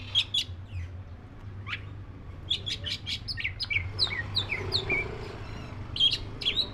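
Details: Black-breasted Oriental magpie-robin delivering sharp high chips followed by a string of short descending whistles and twittering notes, fairly evenly spaced, with a constant low hum in the background.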